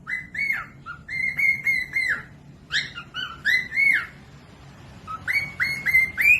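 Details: Cockatiel song used to master young or lazy singing birds. Three phrases of clear, harmonic whistles are made of repeated level notes with short slurred rises and falls, separated by brief gaps, over faint background hum.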